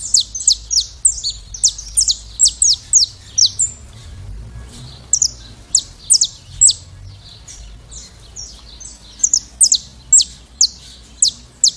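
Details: Classic saffron finch song: long bursts of rapid, high, clipped descending notes in a rolling series, a short quieter gap, then another energetic run of chirps; low hum underneath.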